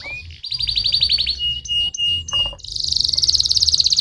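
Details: Canary singing, played to stimulate other canaries to sing: a rising whistle, then a fast high trill, sustained flat whistled notes, and a dense rapid rattling trill at the end, over a low background hum.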